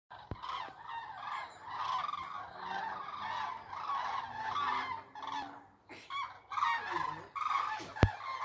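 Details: A flock of geese, flying against the sunlight, call steadily in a loud, overlapping chorus of nasal, clamorous honks, with a brief lull and a couple of sharp knocks near the end; country road faintly in background. Goose.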